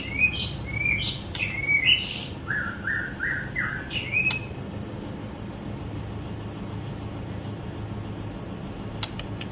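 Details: Young white-rumped shama singing: a run of bright whistled and chirpy notes around the first four seconds, including a series of short descending slurred whistles, then only steady low background hum with a couple of faint clicks.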